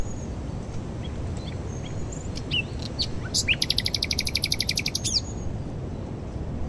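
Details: First nightingale of spring, just arrived from West Africa at its nesting site, singing hidden in a thicket at dawn in high wind, Glapthorn Cow Pasture, Northamptonshire, UK, around 18 April; scattered whistles then a fast, loud repeated chattering phrase over steady wind.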